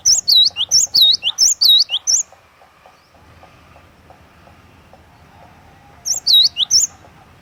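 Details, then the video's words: Cinereous tit (glatik watu) singing a lure-style song: rapid bursts of high, clear U-shaped whistled notes repeated in quick series. Several seconds of quiet follow, with faint background hum, before a second short burst. "KICAUAN GLATIK WATU PIKAT GACOR"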